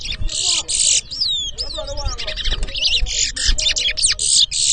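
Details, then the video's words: Towa towa, or chestnut-bellied seed finch, competing in a 2023 whistling contest at Edinburgh Village, Guyana; loud, bright bursts of buzzy, high trills mixed with sweeping whistled slurs, and faint human voices below. "TOWA TOWA BIRD WHISTLING COMPETITION IN EDINBURGH VILLAGE"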